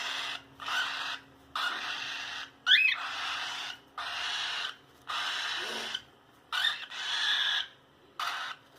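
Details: A cockatiel playing inside its cage gives a series of harsh, raspy screeches, each under a second, with short pauses between.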